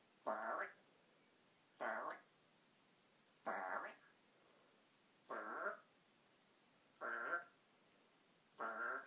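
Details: African grey parrot, a pet indoors, making a snoring noise: six short, nasal, harmonic rasps repeated about every one and a half to two seconds, each dipping then rising slightly, with quiet room background between.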